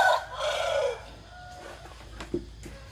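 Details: Morning crow of a rooster: a loud, harmonic, drawn-out call that swells and falls over the first second, followed by quieter distant crowing and a few sharp clicks against low background hum.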